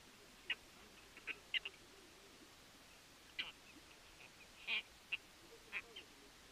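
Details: White-tailed tropicbird at a nest on Nonsuch Island, Bermuda, on the afternoon of 1 June 2021, as an adult feeds a chick hatched 24 April: about ten short, harsh, high notes, single or in quick pairs, over quiet background.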